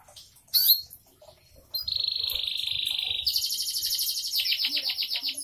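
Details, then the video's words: Canary singing in the 'bocor' style: a brief high chirp, then a long steady whistled trill, switching to a louder, rapid pulsing trill of repeated sweeping notes. "Kenari bocor rajin"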